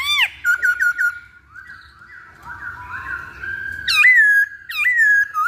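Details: Chinese hwamei, called poksay Hongkong, singing for a lure recording: a steep arched whistle, four clipped repeated notes, soft sliding tones, then two loud swooping whistles that flatten into sustained notes.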